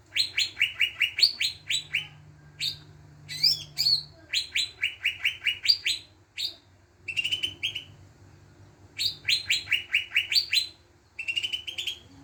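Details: Greater green leafbird lure song meant to set other birds singing: repeated phrases of quick, sharply descending chirped notes delivered in bursts of several seconds separated by short pauses, with a low background hum.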